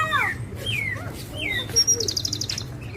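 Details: Javan bushlark of the Parva type producing loud descending whistled slurs, then two strong short notes and a fast high trill, over low background hum.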